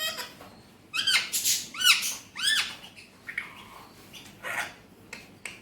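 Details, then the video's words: Captive talking Alexandrine parakeet in its natural voice gives a run of four or five harsh, arching squawks about half a second apart, followed by softer, rougher voice-like notes. "Alexandrine Parrot Natural Voice || Mitthu best Talking || Amazing Speaking parrot"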